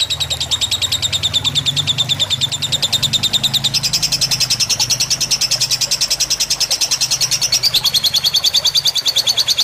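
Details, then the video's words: Fighter lovebird tutor song with gentle flowing water meant to calm birds; unbroken, very regular rapid chattering, high and shrill, about three notes per second, over a low hum in the first half. "Suara masteran lovebird fighter dengan gemericik air agar cepat masuk"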